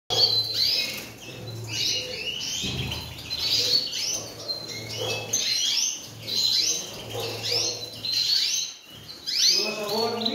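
European goldfinches singing a fast, liquid twitter of bright tinkling notes and buzzy trills, pouring on almost without pause, with a faint low hum behind.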